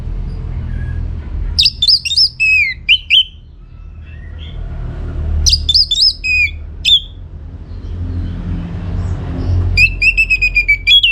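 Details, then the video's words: Lively orange-headed thrush song, used as a lure so other birds reply. Three bursts of quick, sharp, high whistles that slide downward, separated by quiet gaps of a few seconds, with a steady low hum beneath. "Putar Kicauan ANIS MERAH Gacor Ini dijamin Pasti Ikut Nyaut"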